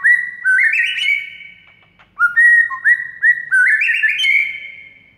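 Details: White-rumped shama song from a tutor recording for making silent shamas sing: rising stepped whistles fading out, a second-long pause, then repeated short whistled notes climbing into a bright, sustained phrase.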